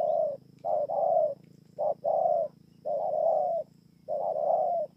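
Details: Spotted dove from Kon Tum, Vietnam, 28 November 2017, giving soft cooing song: paired short and long hollow coos, the longer note slightly descending, repeated about once per second against a faint low hum.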